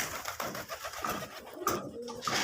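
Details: Local deshi pigeon of the putul golla kind, giving soft low cooing notes under steady broadband background hiss, with a few brief sharper sounds near the end.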